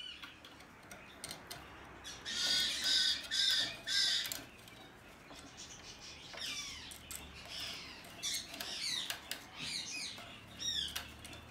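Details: Hand-tame, domestically bred blue-eyed cockatoo recorded 20 March 2020: a burst of four or five loud, harsh, rasping squawks early on, followed by quieter sliding chirps, short descending whistles and scattered clicks in an indoor setting.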